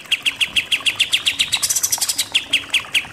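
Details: Pied triller with 'nembak-nembak' style singing. Crisp, evenly paced notes come about six per second and briefly blur into a faster stutter midway before resuming a steady beat.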